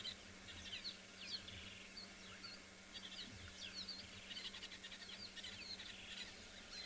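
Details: Red-billed buffalo weavers at sunset on 11 June, chattering near standing water, likely about their large multi-chambered nest above them: a steady jumble of quick, high, squeaky notes over dripping water and a low background hum.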